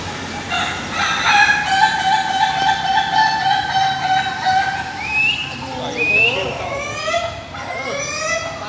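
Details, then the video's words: Laughing chicken (Ayam Ketawa) cocks crowing together in a pen near Bogor, Indonesia, during a practice meet: one long steady harmonic note, then a rapid rhythmic stutter of rising syllables, amid many overlapping crows. "latber ayam ketawa"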